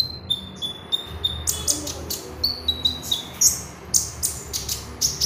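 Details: Oriental magpie-robin singing as a training lure: steady clear whistled notes, then a fast run of sharp, high chirps repeated several times a second.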